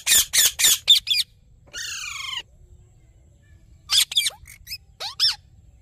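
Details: Rose-ringed parakeet delivering a rapid series of harsh noisy squawks, about four per second, then a long buzzy screech with falling harmonics, followed after silence by short squeaky upslurred and downslurred notes.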